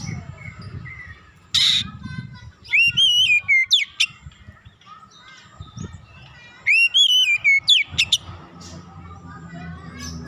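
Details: Oriental magpie-robin warm-up song intended to rouse aggression: two similar phrases of looping, rising-and-falling whistles followed by sharp notes, about four seconds apart, over a low rumbling background with a brief noisy burst.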